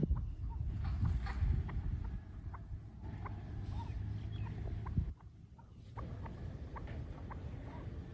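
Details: A Chukar Partridge pair meeting for the first time gives quick, brief clucking notes, several per second in loose runs, over a constant low rumbling background with a brief drop in noise midway.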